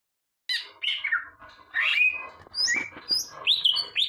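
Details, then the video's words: Leafbird, locally called burung ijo, singing a varied run of loud whistled and chirping phrases, notes sliding down and up, with brief pauses between bursts. "kicauan burung ijo"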